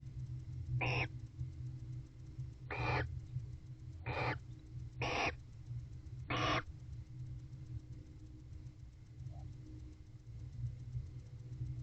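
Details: Bonded wild pair of barn owls mating in a nest box on an October evening during winter courtship, giving unusual vocalizations: five harsh, hissing screeches spaced one to two seconds apart over low steady hum.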